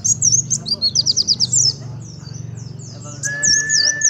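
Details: A white-eye (pleci) imitating a sunbird sings a fast, high, thin warble of rapid trilled phrases. A steady lower whistle enters near the end over a faint low hum.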